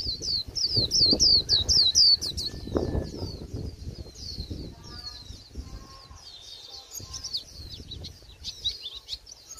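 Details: High, thin twittering 'líu' song from a Japanese white-eye late in the season, described as bland: a loud burst of quick descending notes for two seconds, then softer scattered chirps and fainter lower-pitched notes.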